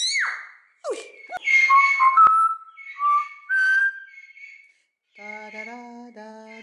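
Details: A talkative captive common hill myna at a bird garden in Upie, Drôme, France, gives a loud, varied run of clear whistles, sharp downward swoops and steady held tones, ending in a nasal, voice-like phrase.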